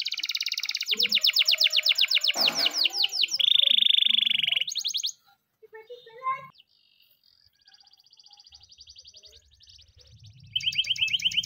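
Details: Training song of a canary in the morning: quick repeated whistled tours and a dense buzzy roll, several seconds of near silence with faint noises, then a steady trill resumes.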